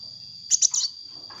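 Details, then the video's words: Sunbird singing energetically, offered as a lure sound: three quick, piercing high chirps in under half a second, set against a constant thin electronic-like whine. "suara burung kolibri gacor untuk pancingan bunyi kolibri bahan"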